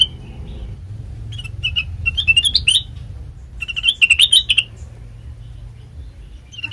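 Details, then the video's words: Sooty-headed bulbul lure song played to draw a reply from untrained birds: short chirpy phrases that rise and wobble, grouped into two bursts with pauses, over a low steady hum. "Suara khas Pancingan Kutilang Bahan,Cukup 1Menit Nyaut"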